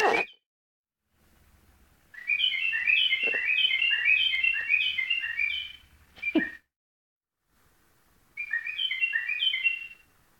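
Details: White-eared bulbul song: two long runs of quick, bright, chirping notes repeated rapidly in overlapping series, separated by a silent gap, with a few sharp clicks between phrases.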